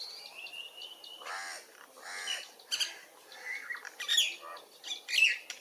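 A myna chatters in a varied jumble: a level whistle, then harsh squawks and croaks about once a second, ending in sharp high chirps and clicks.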